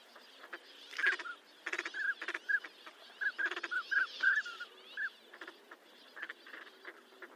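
Short, soft whistled notes of the northern pintail, repeated in quick irregular bursts. Faint rasping and clicking sounds run in the background.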